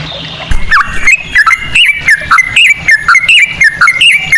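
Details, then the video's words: Lure song of a sooty-headed bulbul with cucak rowo phrasing: a chain of short, liquid, whistled notes, each bending down then up, closely spaced. "pancingan ampuh burung trucukan ropel cengkok cucak rowo"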